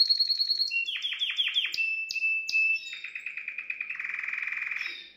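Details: Canary singing to stimulate a female: high repeated notes give way to rapid downward-sweeping chirps, clicky bursts, a sustained whistled tone, then a long buzzy rolling trill that fades out.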